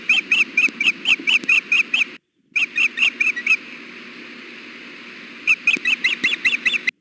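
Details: Female osprey on the Hellgate nest, 6 June 2016 around 4 pm on a 93-degree day, fussing repeatedly for food while the male sits on the nest. Loud whistled chirps, about two per second, come in runs broken by short pauses.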